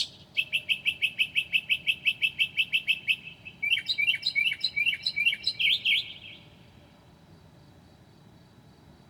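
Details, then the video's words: A mockingbird mimics other birds at 2 a.m. on 9 July 2008. A fast, even string of about twenty chips gives way to a jumbled, warbling phrase of rising notes, then the singer falls silent for the last few seconds. "HIGH QUALITY AUDIO of a Mocking bird at 2:00 A.M."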